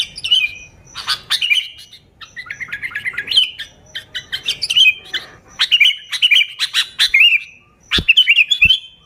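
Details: Sooty-headed bulbul chattering busily, a pure recording for luring bulbuls; strings of short bubbly whistled notes, some in quick rattling series, interrupted by a few sharp taps.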